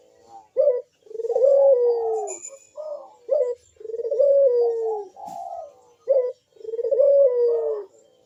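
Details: Barbary dove producing loud, clear bekur coos to provoke other doves into calling: a clipped hoot, then a sustained coo easing downward, repeated three times with a soft click between.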